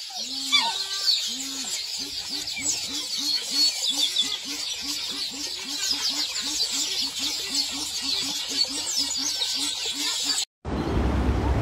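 Black swan cygnet giving soft, arched, low notes repeated rapidly, over a steady high hiss.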